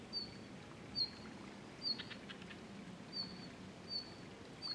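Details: Red-flanked Bluetail, unseen, giving thin, high whistled notes about once a second with a few soft clicks between, over a low background rumble; recorded 20 March 2012.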